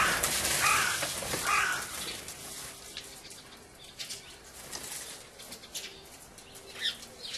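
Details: Crow on 8 March 2011 gives a couple of harsh, rasping caws in the first two seconds, startling sparrows, followed by a flurry of wingbeats and quieter rustling.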